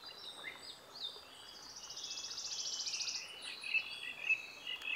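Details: Bolivian blackbird in Maragua, Sucre, Bolivia, during April 2023: a rapid, buzzy pulsed trill swelling over two seconds, followed by short clipped whistled notes repeated roughly every half second.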